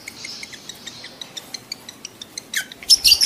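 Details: Lovebird in mating heat: a steady series of soft high clicks about every tenth of a second, ending in a burst of loud, shrill, buzzy squawks.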